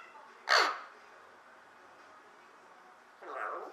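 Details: Zen, a female Eclectus parrot whose voice has risen since she was 2.5, gives one loud, harsh squawk, then after about three seconds a softer, voice-like mumble of imitated speech. Faint room noise runs underneath.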